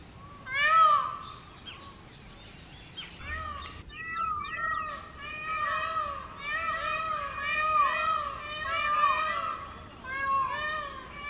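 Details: Immature short-tailed Indian peacock screaming loudly on a road during the summer breeding season, when young males call differently from adults: a loud opening wail, then a run of arched, nasal, rising-falling cries repeated about once a second.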